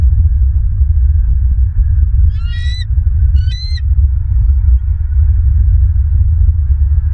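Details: Wild bald eagles at a nest in southwest Florida, recorded early morning on 28 January 2023 by a nest camera; two short bursts of high, thin chattering notes, under steady loud low rumbling wind noise.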